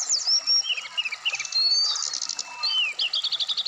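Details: Brown-chested jungle flycatcher song played as therapy for a captive bird set out in the morning dew, meant to make it sing quickly. Rapid varied whistles, slurred upward and downward notes, ending in a fast series of repeated chips.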